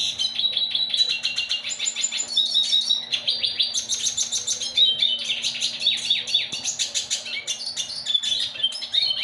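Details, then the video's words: A hybrid of a yellow-bellied siskin and a female red siskin sings a fast, continuous twittering song of high chirps, trills and buzzy notes over a steady low electrical hum. "yellow bellied siskin x red siskin"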